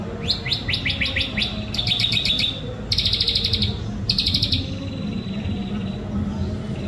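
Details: White-rumped shama from Indonesia, sunbathing, singing loud varied phrases: a quick series of rapid downslurred notes, then dense buzzy trills and rattles in short bursts, with low background rumble throughout.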